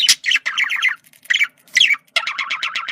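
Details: Male budgerigar making communication sounds: quick bursts of harsh, nasal chatter, each a rapid string of descending buzzy notes, separated by short pauses, with a final longer run of evenly repeated scratchy pulses.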